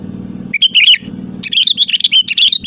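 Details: Sooty-headed bulbul in full song calling rivals, used as a lure: a warbled phrase, a brief gap, then a fast chattering string of bright, liquid notes, loud and close, over a faint low hum.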